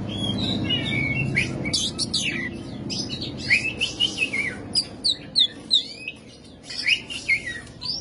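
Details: Oriental magpie-robin, a kacer, in rough, loud 'materi kasar' song delivered in a busy, varied run: sharp whistled slurs, rising and falling notes and harsh chatter repeated rapidly, over a steady low hum.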